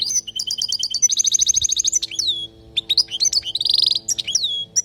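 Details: Palestinian goldfinch teaching song for young birds, a lively twitter of sharp chirps and a long rapid rattle of repeated notes, then a brief pause, scattered slurred notes and a dense buzzy burst before more twittering.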